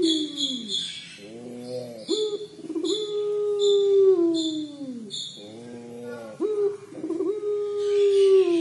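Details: Collared dove of the puter pelung type in its crying call: several long, low coos, each opening with a quavering ribbed note and then sagging slowly, repeated every few seconds. High chirps recur behind them.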